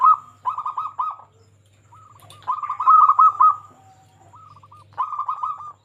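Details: Local zebra dove, a lively frequent singer, used as a lure to make other zebra doves sing: rapid rolling coo trills near one pitch, three bursts separated by pauses, with a soft lower hum between phrases.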